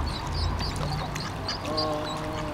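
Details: Mallards in Endcliffe Park, Sheffield, as males attack a female with ducklings and force her to mate; thin high peeps repeat throughout, then a nasal harmonic call near the end, over low rumble and faint human murmur.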